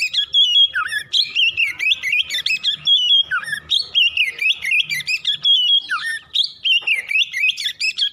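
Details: ['An Oriental magpie-robin pours out morning song meant to spur fast, nonstop singing: continuous rich whistles with swooping downward slurs and clipped chirps, rhythmic and unbroken throughout.']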